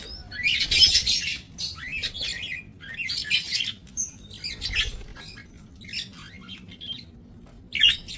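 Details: Budgerigars in a small breeding aviary, 28 November 2024, give quick clusters of high chirps and scratchy squawks, then sparser single notes with pauses.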